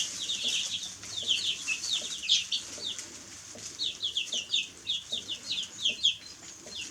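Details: Baby chicks chirping: sharp, high falling peeps in lively runs of three to five notes, several chicks overlapping, with quiet scratching sounds underneath.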